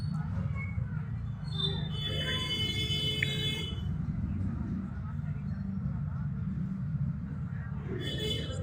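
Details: An Indian ringneck parakeet talking at a mirror gives a short burst of high, speech-like chatter with a brief squawk near the end, over a steady low rumble of traffic or machinery.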